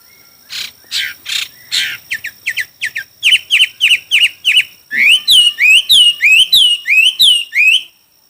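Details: Chinese hwamei song during a singing contest: a fast series of loud descending notes that speeds up, then switches to ringing rising-and-falling whistled phrases repeated about three times a second before stopping.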